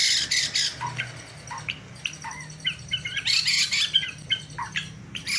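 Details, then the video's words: White-rumped shama with a bowing style and rich filler-note bursts, delivering short scattered whistles and chips several times per second between loud broadband rattling bursts. "MURAI BATU KAPTEN JRG || IDENTIK GAYA SUJUDNYA ,TEMBAKAN ISIANYA YANG MEWAH"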